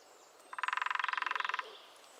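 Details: A lesser spotted woodpecker drums in the New Forest, a loud rapid burst of around nineteen evenly spaced knocks over one second, then quiet woodland.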